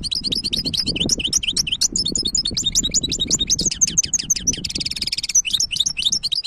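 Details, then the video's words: European goldfinch hybrid kept as a cage bird delivering a continuous, lively twittering song of quick varied chirps and slurred notes, broken by a buzzy rattling trill midway, over a low background hum. "تغريد وابداع هجين الحسون ولا اروع"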